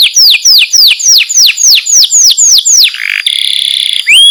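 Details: Canary master singer, described as calling friends and fighting: about ten evenly spaced, loud descending whistles, then a short low buzz and a sustained high steady trill.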